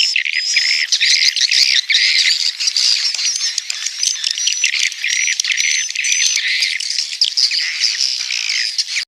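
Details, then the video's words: Swiftlets at roost producing dense, squawky chattering and rattling twitters that blend into a constant shrill chorus, with short high whistled streaks breaking through the mass of sound. "suara walet inap"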